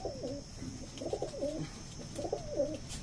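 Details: Close, clear coos from Punjabi pigeons in Delhi's Najafgarh area: three rolling, gurgling phrases, each falling and wavering, about a second apart, in a quiet room.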